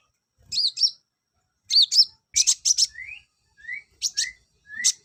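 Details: Olive-backed sunbird song, played to bring males into breeding condition: high, thin squeaky chirps in quick pairs and short bursts, mixed with brief rising whistled slurs, phrases separated by short pauses.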